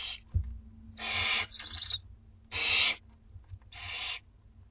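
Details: Barn owlets aged two weeks in a school garden call for food at dinner time: four loud, harsh hissing screeches, one doubled, with a faint steady hum behind.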